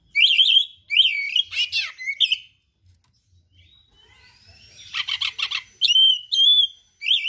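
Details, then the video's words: Oriental magpie-robin in gacor song filled with rare mimicry: repeated warbled whistle phrases, a harsh rattling burst, a quiet pause, then buzzy chatter and clear sweeping whistles. "KACER GACOR SPECIAL FULL ISIAN MATERI LANGKA"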